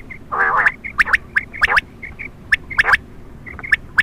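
Quail calling at night: short, bright pips mixed with rough, gargled bursts, sharp clicking notes scattered through, against a low hiss.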